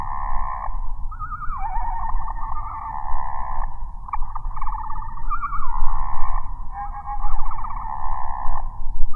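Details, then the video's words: Male Anna's Hummingbird (Calypte anna), northern California. Its scratchy, metallic song is slowed eight times into a low warbling run of buzzy, wavering phrases with brief pauses, over a steady low rumble, and sounds like a larger bird's song. "Anna's Hummingbird (Calypte anna) song slowed down 8x sounds like a larger bird's song"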